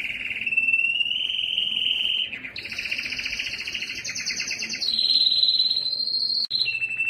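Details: Yellow canary singing: a smooth whistle gently rising in pitch, then a long buzzy rolling trill, followed by clear steady whistled notes and a final lower tone.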